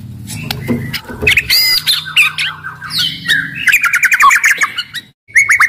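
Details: White-rumped shama, very aggressive and loud, used to make other shamas sing and fight. A busy jumble of harsh squawks, buzzy notes and rapid chattering runs, with a brief silence near the end.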